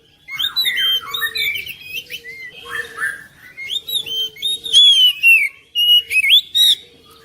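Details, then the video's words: Oriental magpie-robin (kacer) song, used to prompt a quiet kacer into singing: rapid varied whistled phrases with sliding, rising and falling notes and sharp upslurs in bursts, over a faint steady low tone. "KICAUAN KACER"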